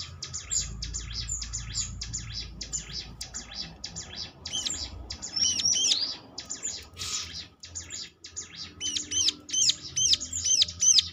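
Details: Prinia lure for prompting answering birds: a long run of high, scratchy chirps, louder looping whistled notes in the middle, and a loud burst of repeated rising chirps at the close.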